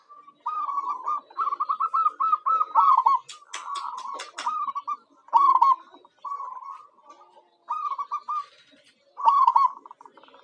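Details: Local zebra dove kept as a lure for wild birds, giving repeated short rolling trills in bursts, separated by brief pauses, with sharp clicking knocks in between.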